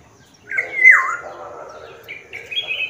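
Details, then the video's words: Sumbawa black-naped oriole in lively song: a loud mellow whistle that drops in pitch, then a softer sustained tone and two short higher whistled notes. "suara Asli kepodang Sumbawa Gacor"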